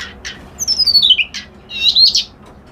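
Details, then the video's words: A reed warbler gives a long whistle that glides down from very high, set between short rough buzzy notes, ending in a quick rising scratchy phrase. "Suara Burung Kerak Basi Alis Putih"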